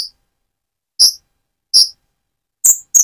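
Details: Van Hasselt's sunbird (Leptocoma sperata), a mottled bird moulting toward metallic plumage, used as a lure to provoke other birds, gives four sharp, very high chipped notes at uneven intervals, roughly one a second, with silence between.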